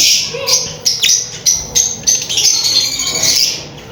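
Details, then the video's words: High, squeaky lovebird chirps from a mating pair, delivered as rapid separate bursts about every third of a second, fading into softer continuous twittering toward the end. "Lovebirds chirping sound | lovebirds singing | mating sound lovebirds"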